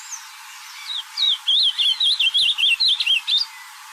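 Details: Ultramarine grosbeak singing in the wild, a rapid run of about a dozen warbling, up-and-down whistled notes over two seconds, clear against a quiet background.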